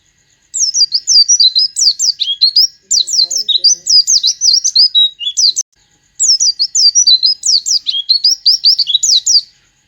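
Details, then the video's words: Oriental white-eye singing a song filled with sooty-headed bulbul imitations: very high, rapid twittering phrases of sharp slurred notes, delivered in dense bursts of about two seconds separated by brief pauses. "suara pleci isi kutilang"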